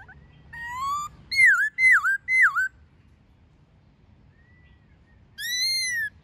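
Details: Forest-voice song of a white-cheeked laughingthrush, mixed with female calls, played to train captive birds: a rising whistle, then three loud down-swooping whistled notes in quick succession, a long quiet gap, then one long arching whistle.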